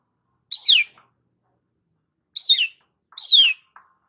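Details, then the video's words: Long-tailed shrike singing actively, used as a lure for stressed shrikes: three loud, raspy descending notes, the first alone and the last two close together after a long pause. "BURUNG CENDET GACOR PALING AMPUH UNTUK PANCINGAN CENDET STRES"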